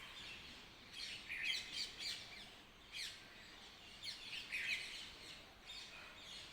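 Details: Birds chirping in the early morning, several high chirps and short trills clustered around one and a half and four and a half seconds, with faint steady background hiss between calls.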